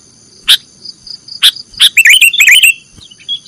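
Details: Cage-bird training recording of a sooty-headed bulbul in nggaruda style. A few sharp clicks are followed by a rapid run of bright, twisting chirps, over a constant high-pitched hum.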